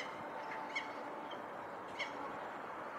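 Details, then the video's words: A female peregrine falcon on the Knightsbridge barracks spots her mate approaching and calls to him: two short, harsh, rasping calls about a second apart over a steady hiss of wind or distant traffic. "Peregrine calling"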